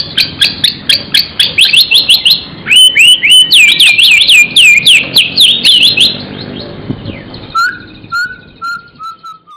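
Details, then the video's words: Murai, a Copsychus shama, in full gacor song with isian fill-in phrases: bursts of rapid, very high repeated chirps, then loud slurred, looping whistles for several seconds, fading into softer descending whistled notes near the end. "burung murai gacor isian"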